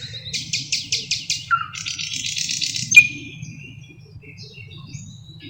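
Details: Song of a thrush nightingale, Luscinia luscinia, a mimic of other bird species: a fast series of harsh rattling pulses, a dry buzzy stretch, one sharp loud click, then fading faint notes against low background hum.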